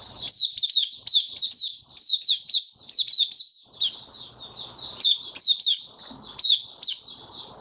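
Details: Caged white-eye in open song, 23 March 2022, warm humid weather: dense, rapid, high twittering of down-slurred notes, nearly continuous for over seven seconds with short softer passages.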